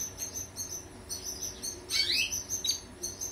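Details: A European goldfinch sings a quick, high, tinkling twitter of short chirps and a few buzzy, sliding notes over a faint low hum; a recording played to canaries to improve their singing.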